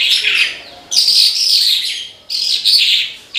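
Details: Branjangan, the Horsfield's bush lark, in energetic 'gacor' song: long, dense, shrill twittering phrases with buzzy trills, broken by brief gaps about every second and a half.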